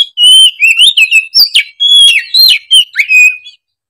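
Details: Continuous oriental magpie-robin phrase of clear whistled notes, rising and falling slurs linked into a fluid, melodious run lasting about three and a half seconds.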